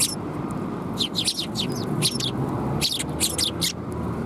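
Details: A group of sparrows at a Tenmangu shrine, recorded 13 December 2021, keep up a busy stream of short, high chirps in loose bursts throughout, over a steady low-pitched hum.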